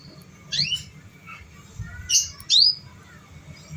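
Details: Canary sounds meant to draw out young canaries still learning to sing: a few sharp, high, upward-swept chirps in small bursts, with brief softer whistles between.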